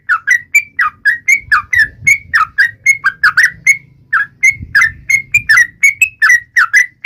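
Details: Yellow-vented bulbul singing to taunt a rival: quick bursts of bright, downslurred whistles delivered in fast runs, one short break near the middle, light low-pitched background noise throughout.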